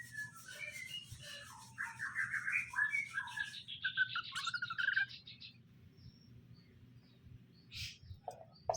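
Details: Male and female greater green leafbirds kept in cages during pairing to help them get along; a run of varied, tumbling chirped and warbled notes in the middle, then quieter scattered calls and a faint steady hum.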